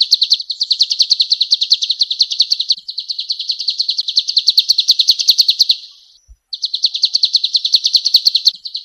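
A male golden-bellied gerygone sings long, high, rapid trills of thin repeated notes in several runs, with a brief pause near the end.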